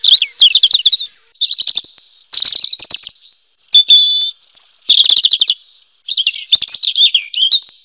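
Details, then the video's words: A robin delivers rapid, twittering song phrases broken by brief pauses, mixing warbles with steady held whistled notes and quick chattering runs, all high-pitched and loud against a quiet background. "Suara Burung Robin"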